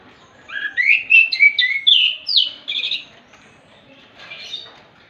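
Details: Orange-headed thrush singing relaxed in the morning, drawing other lazy thrushes into song: a run of clear whistled phrases sliding between low and high notes, about ten quick notes over two seconds, then a fainter answering phrase.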